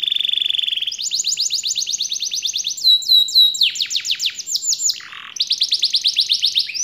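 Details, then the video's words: Caged canary kept in a collection singing a high, varied song: a steady whistled trill, then fast repeated rising and falling strokes in rolling tours, a brief buzzy note, and another rapid trill. "KENARI KOLEKSI SENOPATY CANARY"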